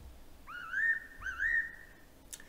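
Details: A Fairy pitta (Pitta nympha) in Taiwan gives two clear whistled phrases, each sliding upward then holding steady, less than a second apart, followed by a faint click.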